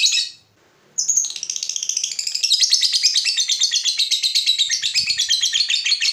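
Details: Lovebird in long ngekek trill meant to stimulate other lovebirds to sing; after a brief gap a high, dense, rapidly pulsed chattering trill runs unbroken for about five seconds, steady and buzzy.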